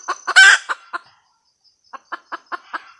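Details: Female red junglefowl cackle. A few quick clucks lead into a loud rasping squawk, then a short pause, then more clipped clucks at an even pace, with a thin insect drone at first.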